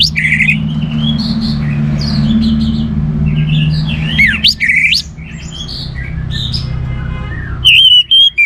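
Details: Orange-headed thrush singing actively, from Singaraja in northern Bali, used to coax other birds into song: a rich run of varied whistles, slurred upsweeps and chattering notes, growing loud and sharp near the end over a steady low drone.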